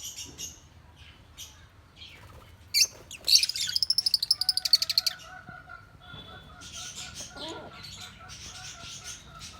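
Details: Lutino African lovebird making scattered chirps, then a rapid run of about fifteen evenly spaced clicky notes, followed by quieter buzzy chatter over a faint steady tone.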